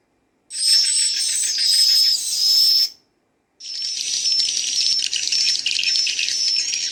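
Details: Played-back swiftlet chick calls: two bursts of dense, high, tightly packed chirps and twitters, loud and soft together, separated by a short silence, with more than one voice character audible.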